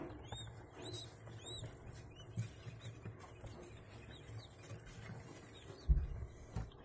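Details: Newly hatched Japanese quail chicks, about five hours after hatching, give thin, high, arching peeps, several in quick succession early on, then fainter, over a low rumbling background with occasional knocks.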